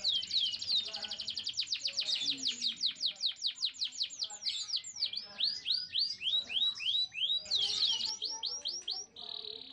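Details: Singing canary, played to excite males and females toward mating and prompt nest building; rapid high-pitched trill of repeated sweeping notes, speeding and slowing, with rolling chirps and a brief steady tone at the end.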